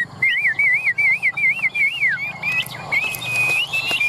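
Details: A tame caged Chinese hwamei from Vietnam, fanning its tail and raising its wings, sings a clear whistled warble of wavy looping notes repeated five times. Higher sustained whistles follow, over low background hum.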